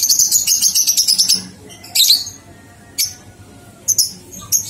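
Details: Ngekek song of a lovebird, recorded as a master track to coax two-month-old young birds into singing: it opens with a rapid, shrill, pulsing trill of about a second and a half, then short piercing squeaks at irregular gaps.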